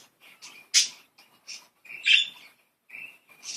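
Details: Happy playful budgerigars kept as pets. A sharp squawk is followed by short chirps and a thin steady whistle near the end.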